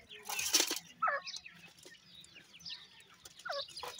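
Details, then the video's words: Grey francolin chicks fighting: a few short, high, downslurred chirps scattered through the clip, with a loud rustling burst near the start. "dakhni teetar chicks fighting,indian gora teetar chicks voice"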